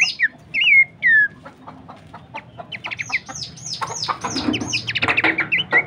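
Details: Horsfield's babbler song, used as a training recording for songbirds: a few loud, clear downslurred whistles, then a dense run of fast, sharp, high chips and slurred notes.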